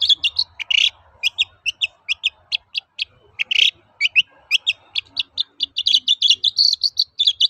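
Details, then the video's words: Long-tailed shrike (cendet), lure song to stir other birds into singing: fast, varied stream of sharp clicks, chirps and short whistles, with two harsh rasping notes mixed in and a faint low hum underneath. "BURUNG CENDET GACOR TOET-TOET, PANCINGAN AMPUH SAAT INI"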